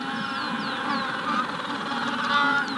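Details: Magellanic penguins calling in a colony at the hatching stage: overlapping harsh, harmonic braying notes fill the scene, while a Rufous-collared Sparrow gives thin, high descending whistles in the background.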